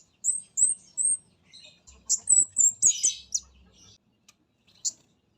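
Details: Orange-headed thrush, spotted mountain 'comade' form, as lure sound: three spaced high whistles, a pause, then a faster run of high slurred notes ending in a harsh scratchy burst, with a few isolated high notes afterward.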